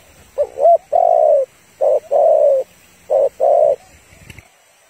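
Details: Calling female spotted dove, used to rouse males and lure them into traps: deep coos in pairs, a short note then a longer sustained one, repeated three times with quiet gaps.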